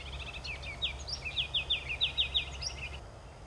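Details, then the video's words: Ruby-crowned kinglet: a quick run of about eight high, sharply downslurred notes, evenly repeated several times a second, preceded by softer twittering, over steady low rumbling background noise. "Roitelet à couronne rubis 2/Ruby-crowned Kinglet"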